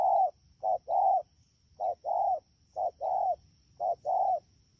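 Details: Rapid cooing from a wild-caught spotted dove at Đak Tô, rainy season, 3 October 2019: four brisk couplets of a short coo followed by a longer one, roughly one pair per second, with little background noise.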